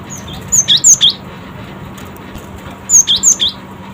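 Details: Quick-response song of a cinereous tit: two rapid runs of four piercing, high whistled notes, each run under a second and about two seconds apart, over a quiet steady background hum.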